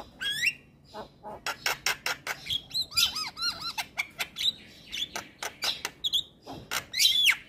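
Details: Male white-eyed Javan myna singing, used as a lure to prompt reluctant mynas to sing: a rapid, varied run of harsh clicks, sharp chips and looping whistled notes, including a burst of three quick rising-falling whistles midway.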